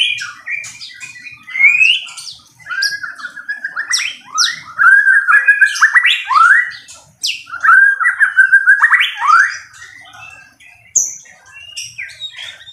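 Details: Loud fighting song from a caged white-rumped shama: dense runs of rapid varied whistles, sharp upsweeps and chattering notes, roughly two per second, with short quieter pauses.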